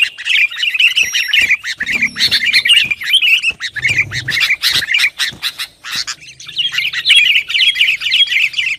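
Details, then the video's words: Noisy, lively sooty-headed bulbul song used to provoke rivals: harsh squawky chatter mixed with bubbly warbled notes, a short quieter gap midway, then renewed chattering phrases. "Suara Kutilang Gacor Bikin Lawan Panas"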